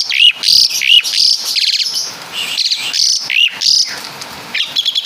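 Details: Asian pied starling, a Java native, singing imitated caladi and kapas tembak phrases: bright upslurred whistles and scratchy high bursts separated by short gaps.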